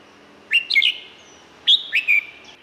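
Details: Red-whiskered bulbul, Thailand, giving two short chirpy whistled phrases of three notes each, rising then dipping, over light background hiss.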